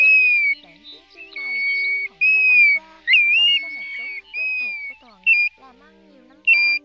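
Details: Pacific golden plover giving clear, slurred rising-then-falling 'chu-wee' whistles in about six bursts over seven seconds, with faint lower tones; a lure call for night-net trapping of migrating birds, August 2024.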